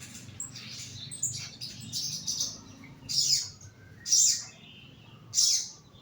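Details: Young crimson sunbird caged low for therapy: soft high twittering, then three loud, sharp, very high chirps about a second apart.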